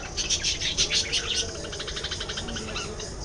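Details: Budgerigars chattering in quick repeated chirps, about three per second, loudest and densest in the first half and then fading into softer ticking notes, with a constant low hum beneath.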